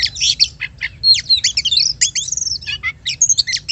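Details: An Oriental magpie-robin sings in quick succession, a lure meant to provoke other birds to sing: crowded high whistles, downward slurs and sharp chips, barely pausing, over a constant low hum.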